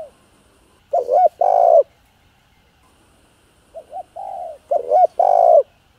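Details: Spotted dove in a stimulating coo series of calling, urging and soft cooing styles. Mellow coos come in two bursts, each a quick rising-falling note followed by a longer sustained one, with silence between.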